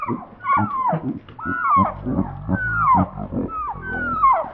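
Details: Penned chickens on a Portuguese farm, restless and wanting out, give loud falling squawks about once a second over lower, grunting clucks.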